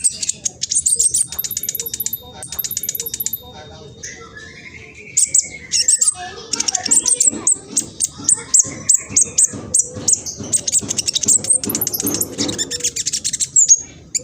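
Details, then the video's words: Young speckled mistletoebird recorded with a phone in East Java, Indonesia, singing fast and chattering to stir rival birds: quick trains of piercing high ticks, a lower sliding whistle midway, then long dense twittering. "PANCINGAN KING KONIN TROTOL AMPUH BUAT KING KONIN LAIN CEPAT BUNYI"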